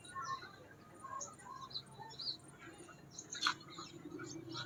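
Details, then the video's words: Scarlet minivet singing in the wild, giving thin, high chirps and short whistled notes at an irregular pace while other small birds twitter faintly underneath, with a low hum throughout. "BURUNG SEPAH RAJA GACOR DI ALAM"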